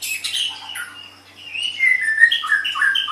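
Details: White-rumped shama (murai batu) song from a tutor recording for training other songbirds: varied chirps and short whistled notes around the mid range, a quiet gap, then a busier run of slurred, shifting phrases.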